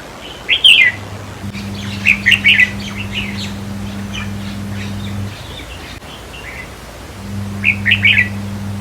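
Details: Caged red-whiskered bulbul song in a decoy-trapping setting, played to rouse other birds. Lively chirping whistled phrases come in short bursts, a quick one, then a longer run, then another after a gap, with a low steady hum underneath.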